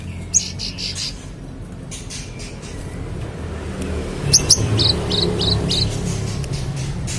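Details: Magpie-robin singing as a tutor for contest birds: a quick run of five or six short, sharp high notes repeated at an even pace, preceded by an isolated chirp, over constant low traffic-like rumble.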